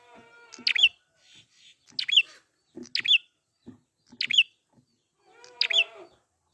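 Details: Prinia recorded in the wild, used as a singing lure: five rapid, shrill bursts of high, sharp notes repeated roughly every one and a quarter seconds, over faint lower harmonic calls and soft background chatter.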